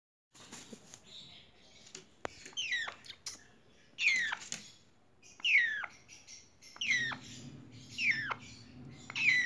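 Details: Four-month-old Congo African Grey parrot chicks give begging calls: harsh, falling squawks, each sliding down in pitch, about one every one and a half seconds, with a low mechanical hum joining toward the end.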